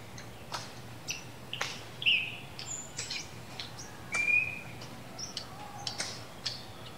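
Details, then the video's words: Coleto (Sarcops calvus) calling, sharp metallic clicks and chips at uneven intervals, mixed with a few brief high whistles, over a faint low hum. "Call of the Coleto"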